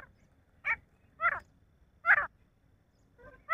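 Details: Male grey francolin producing a loose series of rasping, buzzy notes, some doubled, at uneven gaps of about half a second to a second.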